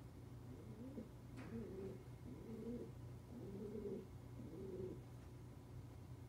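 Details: Captive tawny frogmouth, let out of its cage among free-flying birds and barely moving, gives low, soft, cooing hoots in short bursts about once a second, with a steady low hum in the background.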